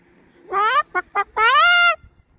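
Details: Pet Moluccan cockatoo chattering on a walk to the park: a drawn-out, nasal harmonic squawk, two short clipped notes, then a long rising-and-level honking call, with a person talking nearby.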